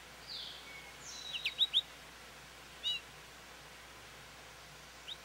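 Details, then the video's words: American goldfinch at a feeder calling for attention: a quick cluster of three or four sharp, high, down-slurred chirps, followed by a single chirp and a fainter late note, with other birds whistling softly in the background. "American Goldfinch Song"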